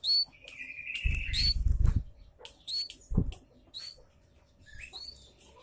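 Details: Javan munia lure call, loud chirps meant to draw other birds to respond: short high upslurred chirps with bright overtones, a drawn-out buzzy note early on, scattered quick repeats, and low thumping handling noises between them.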